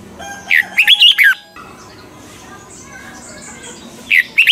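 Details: Red-whiskered bulbul double-note song of a mature wild bird, used as training material for caged birds; one lively five-note warbled phrase, a gap of faint background noise, then the next phrase beginning.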